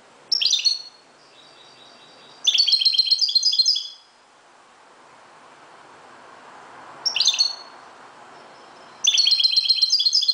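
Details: European goldfinch from Morocco singing at daybreak, alternating short chirpy bursts with longer rapid tinkling runs of more than a second, bright and high, with a soft hiss between phrases.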